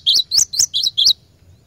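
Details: Cinereous tit singing in a training recording for caged birds. Five sharp, high notes follow one another rapidly, each one rising and then dropping, over a faint low hum.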